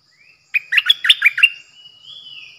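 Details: Decoy bulbul (nok dok taeng), 8 May 2021. A soft rising whistle is followed by a lively string of seven throaty chirped notes, then a long, thin downslurred whistle over a steady high whine.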